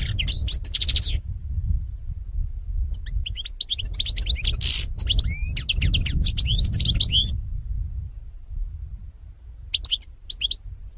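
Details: European goldfinch singing, 2018: three bursts of fast, liquid twittering with tinkling, buzzy notes. The longest runs for about four seconds, separated by short pauses, with steady low-pitched background noise.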